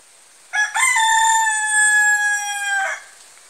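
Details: Native country rooster (nattu koli) giving one long crow: a short rising opening note, then a sustained, steady, slightly falling tone held for about two seconds before a quick drop at the end, over a quiet background.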